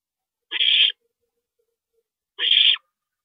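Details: Owl at a nest during a parent's 2:40 AM stopover, April 22, 2012; a pair of coarse, breathy screeches nearly two seconds apart.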